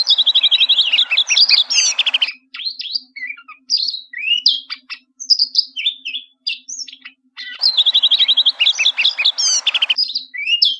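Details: Bluethroat song with rapid repeated ringing notes, followed by a varied stretch of chirps, rising whistles and buzzy phrases, then another fast repeated-note burst near the end; a faint low hum runs throughout.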